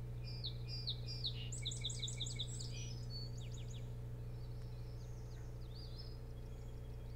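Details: Osprey at the boat house nest cam on Hog Island near Bremen, Maine, 24 June 2018 around 01:38–02:38, giving a fast series of sharp, whistled, downslurred notes, several each second, then trailing off, over a steady low electrical hum.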